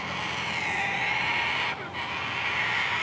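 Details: A constantly croaking cockatoo with its wings out gives a harsh, raspy croak, held almost without a break, with one short pause near the end.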